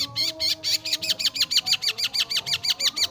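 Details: Long-tailed shrike singing a rapid series of downslurred, chattering high notes, about five per second, steady and loud throughout, with faint music behind.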